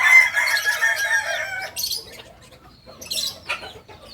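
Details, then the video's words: Kukuak balenggek rooster, purebred, from Solok in West Sumatra: a strong crow for the first second and a half, fading into quieter high bird chirps and soft rustles. "Ayam kukuak balenggek asli solok sumbar"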